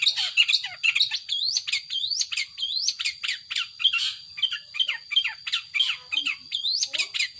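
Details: Long-tailed shrike, a kept bird, singing in the loud 'power sobek' style: a dense, fast run of sharp, rising and falling whistled and scratchy notes, several per second. Its song is high-pitched, with a steady thin tone running underneath.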